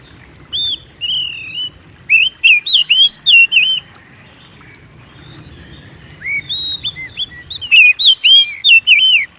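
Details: White-rumped shama song for prompting captive birds to sing: a few whistled notes, then a fast run of chips and slurs, silence for about two seconds, then another rich whistled phrase.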